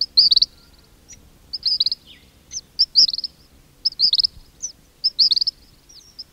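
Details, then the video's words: King cormorant colony at close range, with whistles from chicks: high, thin whistled notes in rapid stuttering bursts of four or five, recurring about every second, with single upslurred whistles between bursts. "King Cormorant. Calls CU In Colony, Grunts From Adults, Whistles From Chicks"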